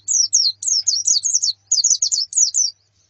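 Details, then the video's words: Female and colony white-eyes calling as therapy for a male's song: jumbled high twittering phrases of rising and falling whistles in three short bursts, faint hum at the start. "Suara Pleci Betina dan Koloni Untuk Terapi Kicau Pleci Jantan"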